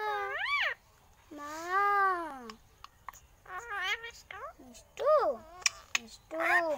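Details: Alexandrine parakeet talking like a human: a run of arched, strongly harmonic, voice-like phrases, some long and swooping, others short and rising, with brief pauses between them. Faint background music plays.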